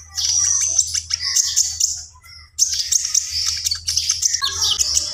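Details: Javan pied starling singing gacor with full isian: bursts of dense, scratchy high chattering, a brief pause in the middle, then renewed squeaky phrasing over faint low hum.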